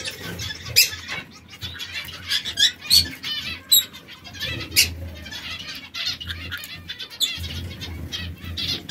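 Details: Three pet canaries, one red, one yellow and one brown, that sometimes squabble with each other. Short high chirps and sharp broadband bursts come at irregular intervals, with soft low rumbling underneath.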